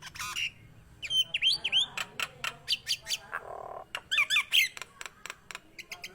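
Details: Lively Nias hill myna vocalizing for stimulating kept mynas: sharp clicks, twisting squeaky whistles and a short harsh buzz, with brief silent gaps.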